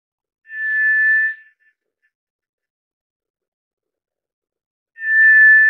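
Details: White's thrush giving two long, steady, pure whistles on one even pitch, each under a second, about four seconds apart with silence between.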